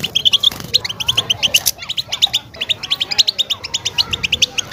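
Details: European goldfinch giving its mating song, meant to stimulate a female ready to breed: rapid, bright twittering of short high notes in quick bursts, steady and continuous, with a few faint lower sounds in the background.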